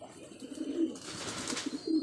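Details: Domestic pigeons being given vitamin medicine to keep them healthy; low, soft cooing tones near the start and again at the end, with a hissing rustle in between.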